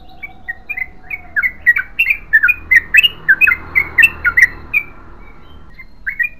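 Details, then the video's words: Yellow-vented bulbul pouring out an extended song of sharp bubbly chirps in a fast string, opening after a low steady hum and ending with a short pause and a couple of final notes. "BURUNG TRUCUKAN GACOR ROPEL PANJANG"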